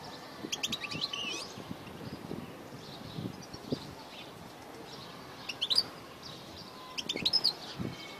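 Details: European goldfinch male under heavy cloud in cool, near-rainy weather, in a song with takrim and matali' phrases. Short bursts of high, sparkling chirps and trills come at the start, middle and end, with quieter, lower background sounds in between.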